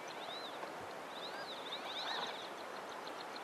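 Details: Cape teals, a group swimming on a large pan in late winter, giving soft, high, arched whistles in short runs over steady broadband background hiss.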